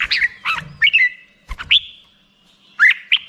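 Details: Black-crested bulbul song: short bursts of chattering, warbled notes at mid pitch, one longer slurred whistle near the middle, with brief quiet gaps between phrases.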